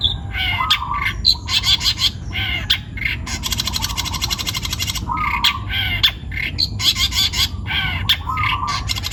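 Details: Long-tailed shrike, a young bird taken from the wild, singing energetically with dense rasping chatter, rapid scratchy clusters and occasional lower buzzy trills, broken by brief pauses, over faint low background noise.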